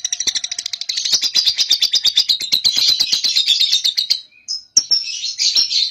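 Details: Young cobalt lovebird ngekek meant to draw another lovebird into singing: a fast stuttering trill that grows louder and denser for four seconds, a short break, then squeaky chirps.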